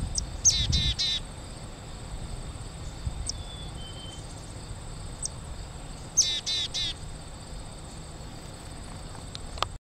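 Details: A Black-capped Chickadee calls from a nearby tree in summer 2011, giving two chick-a-dee calls, each a sharp high note then three or four buzzy dee notes, about six seconds apart, over a steady high insect drone; another chickadee calls distantly.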